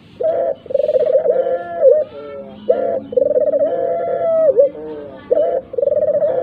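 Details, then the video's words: Dove, played as a lure so that even silent doves start calling along: loud, strong cooing in long, steady, slightly trembling notes with short rising and falling lead-ins, repeated in three phrases. "tekukur puter gacor pikatan burung walau bisu sekalipun"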